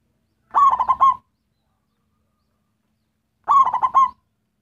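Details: Zebra dove of a local strain in full song, played to attract other zebra doves: a pair of short, rolling, stuttered coo phrases three seconds apart, nothing else audible.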